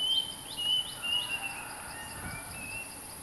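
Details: Territorial bulbul used as a lure sound, giving short, clear whistled notes, some flat and some sharply rising, in quick irregular succession. A steady high insect hiss runs underneath.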